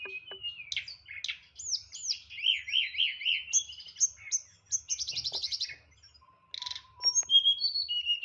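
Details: Caged white-rumped shama, or tledekan, singing nyeklek-style song with many fill-ins: rapid wavering warbles, a run of repeated rising whistles, a buzzy rattling series, then scattered high whistled notes.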